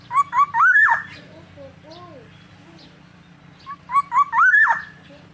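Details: Black-naped oriole (Oriolus chinensis) giving two rich, fluty whistled phrases about three seconds apart, each climbing to a slurred ending, over a low steady hum.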